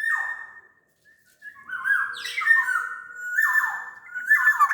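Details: Black-naped oriole from Sumbawa, a large-bodied bird in full song used as a lure for lazy orioles: fluting whistles near two kilohertz sliding downward, a brief pause, then rasping, squawky phrases mixed with mellow dropping notes.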